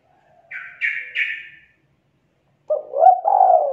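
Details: Three short buzzy higher notes, then a spotted dove lure call for trapping: stuttered start, a looping note and a long low coo.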